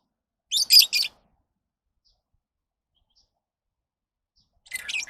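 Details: Lovebird calls: a cluster of three shrill, rasping chirps, then a long silence before another chattering burst of high squeaky notes at the end.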